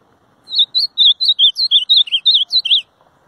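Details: Ultramarine grosbeak delivering a clean, lively phrase of roughly thirteen looping whistled notes, evenly spaced and wavering in pitch, lasting about two and a half seconds against near silence.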